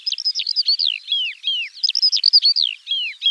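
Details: Eurasian skylark singing in spring, rippling chains of sweet chirps and falling slurred whistles repeated in quick, continuous phrases.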